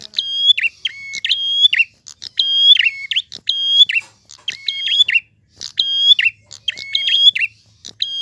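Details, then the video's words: A prinia sings loudly and clearly: ringing level tones mixed with quick slurred chirps, grouped into rapid phrases that repeat with brief gaps, against near silence. "Prenjak Gacor Ngalun. Suara jernih."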